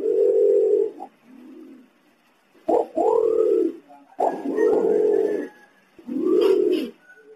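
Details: Green imperial pigeon, a call meant to attract other pigeons: long, deep, steady coos, each about a second, separated by short pauses and a softer low note, with faint clicks between.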